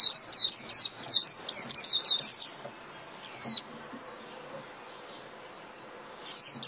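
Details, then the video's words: Japanese white-eye 'líu' song used in training caged birds: a brisk burst of shrill, rapid chirps for over two seconds, one isolated sweeping note, a long hush, then chirping starts again. "TIẾNG CHIM KHUYÊN LÍU CỰC CHẤT"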